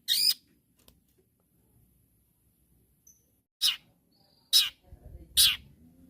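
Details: Four loud, rasping, grating notes from a long-tailed shrike calling to rivals, one at the start and three close together after a long quiet gap.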